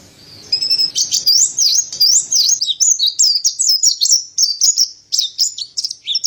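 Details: Mountain white-eye, the montanus or white-breasted pleci, in lively tutor song. Continuous high, rapid warbling of up-and-down slurred whistles follows a short soft opening and runs without a break.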